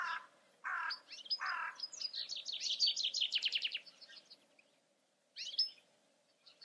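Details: European goldfinch singing: a few harsh, nasal notes, then a fast tinkling, twittering run of high trilled notes, a pause, and a short burst of twitters at the end.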